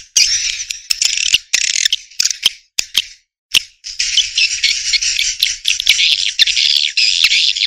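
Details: Swiftlet sounds: sharp, dry clicks scattered through the clip and dense, rattling high chatter that falls briefly silent near the third second.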